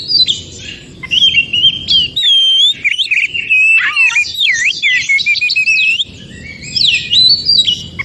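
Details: Oriental magpie-robin singing in its natural forest, used as therapy for birds that fall silent: fluid whistled song with fast zigzag phrases and swooping slurs, a brief high pure note, continuous bright delivery over low background rumble.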